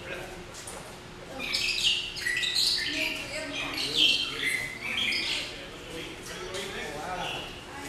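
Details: Magpie shrikes in the African Savanna section of a zoo aviary, the most active chirpers and flyers there, give a jumble of short, bright chirps and squawky notes, irregular and overlapping, with faint background murmur.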